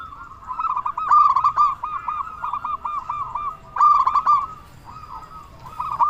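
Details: Local zebra dove singing loudly in full voice, used as a lure to provoke other doves to answer: mellow, rolling cooing phrases of quick bubbling notes at a steady pitch, in bursts with short pauses.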